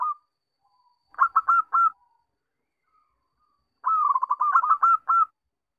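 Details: Zebra dove song used as a lure to make birds sing: a short group of four hooked coos, a quiet pause with faint soft notes, then a long fast rolling string of mid-pitched coos.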